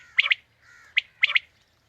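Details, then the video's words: Quail call used to attract quail for a morning hunt: two quick bright phrases, each a short note followed by a high doubled note, with soft background hiss. "Batair ki new Awazay| Quail Calling 2020 | Batair Ki Awaz suba ki shikar Ki liye|Saaf Batair Ki Awaz"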